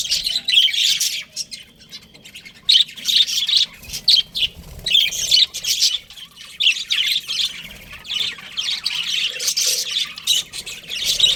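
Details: Budgerigars chatter in separate bursts of harsh, high twittering, each flurry lasting about a second, with quieter spells in between.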